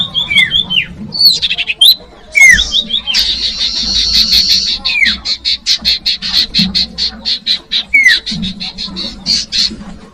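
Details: Common iora singing, used as a lure for young birds: loud clear whistles with rising and falling slurs, then a long fast series of sharp repeated buzzy notes roughly four per second, and more whistled phrases near the end.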